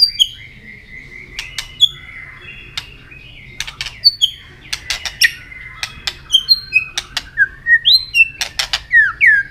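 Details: White-rumped shama singing in contest with many voices, tail flicking: clear slurred whistles, short high upswept notes and sharp clicks intermixed, growing louder and denser toward the end.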